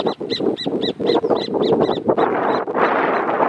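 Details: A pair of horneros in the Amarras del Gualeguaychú protected area calls to mark territory. About two seconds of quick, evenly spaced loud notes fade into broadband background noise.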